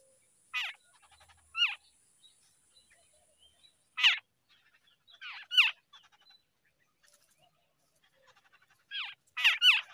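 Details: Babbler chicks begging in the early morning as the parent feeds them: harsh, raspy, downward-slurred calls, single or in quick pairs, at an uneven pace over a quiet background.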